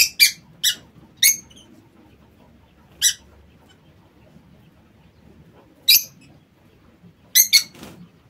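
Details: Lovebirds in an aviary producing short, piercing, high chirps, single or in quick pairs, scattered irregularly with silent pauses between them over a quiet background.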